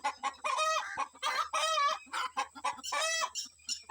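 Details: Free-ranging chickens let out to forage at morning, the rooster warning his family about birds of prey such as kites; a busy string of harsh, harmonic squawks and short clucks from several birds, nearly continuous across four seconds.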